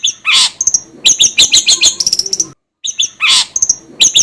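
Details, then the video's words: Long-tailed shrike song used as a lure to set other birds singing: rasping bursts mixed with thin, high whistled chirps and quick twittering, broken by a short silence before the harsh notes return. "PANCINGAN CENDET AGAR CEPAT gacor"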